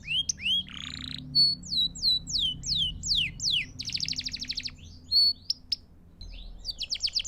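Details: Canary song used for training young birds and teaching new songs, clear and continuous: rapid series of bright whistled upward sweeps, fast trills and buzzy rolls, with short pauses between phrases and a faint low hum beneath.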